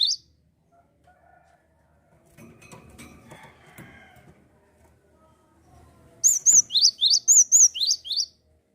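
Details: Java sparrow in full song, intended to motivate other birds: mostly low rustling and handling noise, then a two-second run of bright alternating high and descending chirps near the end.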